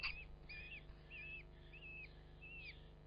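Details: Common kestrel nesting in a ventilation hole of a Yorkshire Dales field barn above Hubberholme, Langstrothdale; five thin, wavering, whistled calls follow one another about every half second, with a low steady hum underneath.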